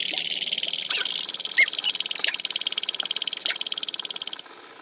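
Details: Sharp-tailed grouse dancing at Wainwright, Alberta, in 2015: a dense, rapid rattling buzz runs almost without pause, with a few sharper higher clicks and chirps standing out near the middle and end.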